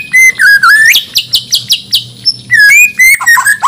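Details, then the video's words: Borneo white-rumped shama of Banjar origin, a contest singer, pours out swooping whistles, then a run of sharp high clicks, then more loud, varied whistled phrases in its full isian style. "Murai Batu Gacor Full Isian || Murai Borneo Full Emosi"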